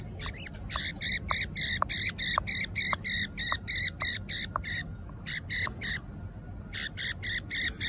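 Budgerigar chicks give harsh, raspy squawks in a quick, steady series, about three each second.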